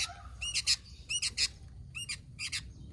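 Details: Sooty-headed bulbul, known locally as kutilang, giving short groups of sharp, rising-and-falling chirps about half a second apart against a quiet background.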